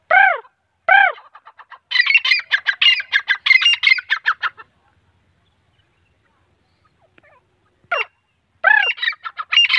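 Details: Teeter, the grey francolin, male and female: two strong descending nasal notes and a quick stutter, then a dense burst of harsh repeated notes, a pause of silence, and more falling calls starting another rapid series.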